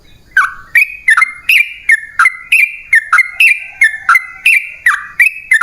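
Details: Yellow-vented bulbul (trucukan) lure recording in long rolling 'ropel panjang' style, used to make wild bulbuls answer: bright, bubbly whistled notes dropping and rising, repeated about three times a second in a steady chattering run, with a quiet background.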